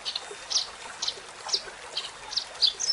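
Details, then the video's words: Eurasian tree sparrow singing vigorously: short, bright chirped notes spaced about half a second apart, some doubled, over a soft rushing background. "Kicau Burung Gereja Gacor"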